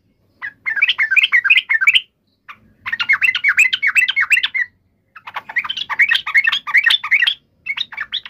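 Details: Yellow-vented bulbul's agitated fighting call, called cuk emosi ngalas tarung, used to make another bulbul respond instantly; three lively, gurgling chatter bursts of about two seconds each, with faint low hum behind.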